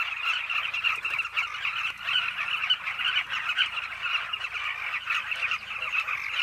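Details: At a cliff nesting colony, Carmine bee-eaters keep up a constant overlapping chorus of throaty, trilled calls, with scattered louder notes and no pauses.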